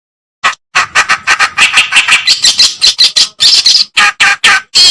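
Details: Reed warbler singing for use in training cage songbirds: a long run of rapid scratchy, rasping notes, alternating lower churrs with higher squeaky phrases, gradually louder toward the end.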